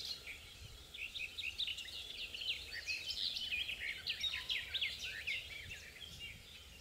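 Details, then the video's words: Garden warbler singing, filmed from a distance with a compact camera: a continuous, rapid warble of short, varied notes, fairly soft against a low background hum. "Herken de tuinfluiter in beeld en geluid"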